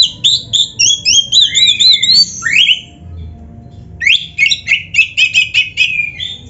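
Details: Caged white-rumped shama with a training song of wavering whistled phrases and sweeping slurs, a pause, then a quick series of short repeated chirps and whistles about four per second.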